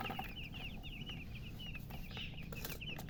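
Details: Just-born chickens chirping: an almost continuous stream of high, descending peeps from several chicks, fast and even in rhythm, over low steady noise.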